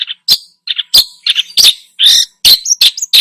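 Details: Long-tailed shrike in full mimicry song as a lure for other birds: a dense, jumbled stream of squeaky chirps, rasping notes and short whistled slurs with almost no gaps.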